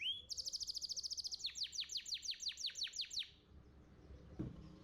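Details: Young canary: a brief rising whistle, a rapid high trill, then a run of loud downward-sweeping notes ending abruptly, followed by quiet background and a faint click.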